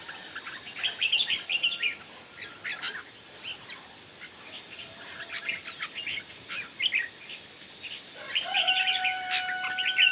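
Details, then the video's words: Red-whiskered bulbul competition singing in the morning: rather distant, quick warbled phrases over a hissy background, growing louder at the end alongside a steady, level tone. "Chim Chào Mào Hót Đấu Buổi Sáng"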